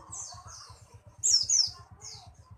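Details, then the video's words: Pleci buxtomi white-eye giving high, thin chirps, then a louder rapid twittering burst with descending slurred notes, followed by one more short high chirp; a regular low pulsing thump continues underneath throughout. "pleci buxtomi"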